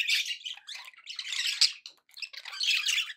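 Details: Contented pet budgies produce raspy squawks and rapid twittering warbles in three loud bursts, high-pitched and uneven in rhythm.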